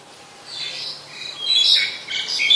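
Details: Black-collared Starling at Ubon Ratchathani, Thailand, 10 November 2021, giving a rising series of rough, screechy notes that grow louder toward the end, with no other clear sounds.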